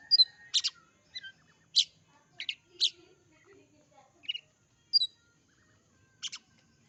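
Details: Sparse, sharp, high-pitched notes from an Oriental magpie-robin, given singly or in quick pairs with short gaps, plus a few faint softer chips in a quiet setting.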